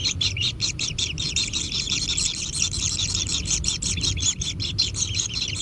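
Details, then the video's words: Kingfisher chicks at their nest, growing intense as they are fed, produce a harsh, buzzy, rasping chatter pulsing nearly three times a second, broad and hissy in tone. "Anak Tengkek Diberi Makanan Semakin ExTrim - Natural Kingfisher Bird Nest"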